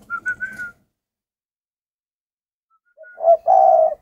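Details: Spotted dove kept in captivity: a few thin whistled notes, a long pause, then a low, breathy, rolling coo starting near the end.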